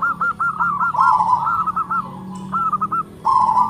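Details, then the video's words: Big-voiced local zebra dove pouring out tightly spaced notes: a rapid string of short rising notes merging into rolling coos, a brief gap, then a few more clipped notes and a final purred coo. "PERKUTUT LOKAL SUARA BESAR NADA RAPAT MANTAB, YANG LAIN PASTI NYAUT"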